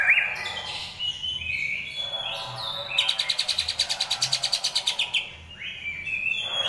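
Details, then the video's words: Training recording of a greater green leafbird giving rolling, harsh besetan song: scattered whistles and slurred notes, then a two-second run of rapid grating pulses, ending with rising whistles. "masteran cucak ijo//ngerol besetan kasar"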